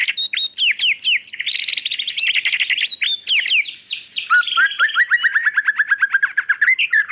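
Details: White-rumped shama, a female calling the male, singing a rich, fast song: sharp whistled sweeps and slurred notes, then rapid chattering trills and a run of descending buzzy notes near the end. No other sounds.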